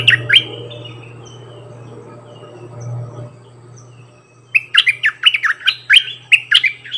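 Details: Decoy bulbul singing many song phrases: after a low steady hum fades, a quick run of bright, warbled notes starts, rising and falling and repeated in rapid bursts.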